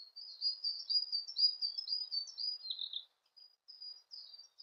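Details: Siberian blue robin giving a long run of high, thin, squeaky warbled notes, ending in a slightly lower dropping phrase, followed by quieter scattered twitters.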